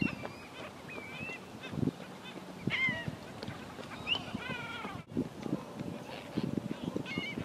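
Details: A flock of Black Skimmers gathered with gulls and sandpipers at the Tampa Bay shoreline, St. Petersburg, Florida, gives short, nasal, barking yaps, overlapping in uneven bursts over a steady rumble of wind and surf.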